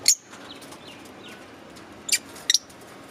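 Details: Green Fischer's lovebirds in a cage give three sharp, piercing high chirps, one at the start and a close pair about two seconds later, with quiet room hiss between them.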